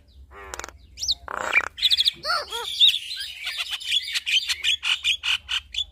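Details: Javan myna pair, male and female, singing together: harsh rasping bursts and nasal stacked notes, then a steady rhythmic run of high chattering notes repeated several times per second.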